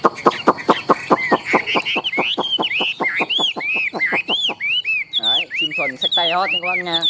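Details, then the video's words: Caged Chinese hwamei, a big tame bird kept for song contests, opens with a fast even string of short notes, then shifts into looping up-and-down whistles and a few harsher harmonic phrases. "Họa mi thuần đét, Bộ to - Đấu hót rất tốt"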